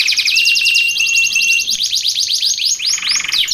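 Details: Canary singing, offered as training audio and a lure for wild canaries: fast rolling trills of quick downward-sweeping notes, shifting to looser, wider swoops near the end, all high-pitched and nonstop.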